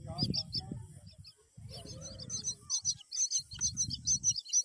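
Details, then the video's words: Myna parent feeding a green worm to the babies; bursts of high, clipped chirps grow louder and quicker toward the end, over low rumbling noise. "Myna birds🐦 feeding green worm to her babies"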